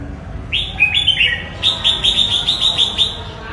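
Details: Red-whiskered bulbul giving a clear whistled song: a few slurred opening notes followed by a rapid, even string of about eight bright chirping notes, over quiet low background hum.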